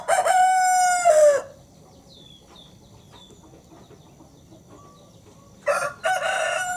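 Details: Broiler rooster, one of two kept as breeding males in a village, crowing: a long drawn-out harsh crow held steady, then silence with faint bird chirps, then another crow beginning.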